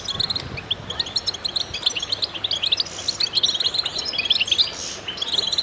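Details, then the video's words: Goldfinch chorus played to stimulate birds: continuous, busy high-pitched twittering from several singers, sharp chirps stacked over one another with brief liquid trills. "voices a chorus of goldfinches in concert to stimulate birds"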